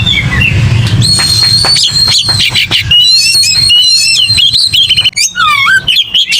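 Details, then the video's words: Oriental magpie-robin, fighting and aggressive, singing long level whistles mixed with quick trills and slurred notes, over a low rumbling background. "AGRESIF!!! KICAU KACER TARUNG NGOTOR FULL ISIAN"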